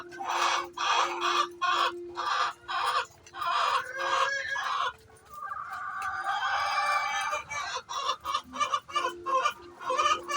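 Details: Chicken making its noise before laying eggs, a rhythmic series of loud harsh squawks about twice a second, a long drawn cackle in the middle, then more clipped squawks.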